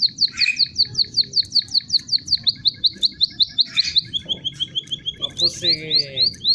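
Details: Canary singing softly: fast rolling trills of sharp rising notes repeated many times a second, changing to a lower tour, then a buzzy section, over a faint low hum.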